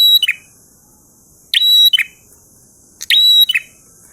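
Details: Prinia singing ngalun: the end of one phrase, then two full ones about a second and a half apart, each a clicking onset, level high whistle and lower buzzy finish, with steady hiss.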